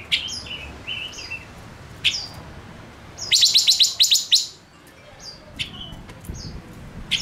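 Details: Male "ngũ sắc" songbird singing: high, thin whistled notes in short bursts, broken by a fast, bright trill of about ten notes lasting roughly a second, over a faint murmur.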